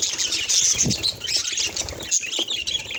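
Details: Busy budgerigar chatter made of quick high chirps and short whistled notes layered over one another. A few clearer tonal peeps stand out early and again near the two-second mark.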